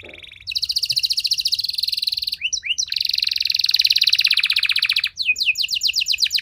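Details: Canary song used to prompt other canaries to answer and sing long: fast, even buzzy trill of rapid repeated notes, a short break of sharp chips, then another long rolling trill ending in quick downward-sweeping whistles.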